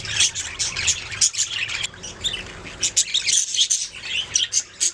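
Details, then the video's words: Budgerigars singing in continuous, high, fast warbling chatter, full of short chirps, clicks and squeaky whistles, with no pauses. "Budgies singing making sounds chirping"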